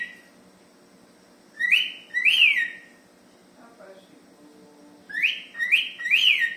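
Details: Cockatiel in the morning whistling clear, bright notes that rise then fall, first in a pair and then in a quick run of three.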